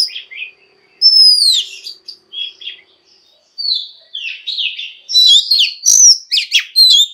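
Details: Female Oriental magpie-robin singing to stimulate males to sing: clear whistled notes and sweeping downslurs, pauses between phrases, then a denser burst of varied chirps and trills toward the end.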